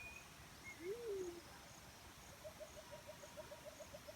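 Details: Natural call of a black-chinned fruit dove: a single low coo swelling up and trailing down, followed by a fast run of soft pulsing notes from another creature and a couple of brief high chirps.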